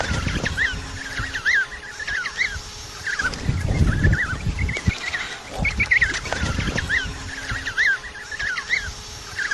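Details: Penguins calling: many rapid, harsh, braying notes repeated in bursts, over steady low rumbling background noise.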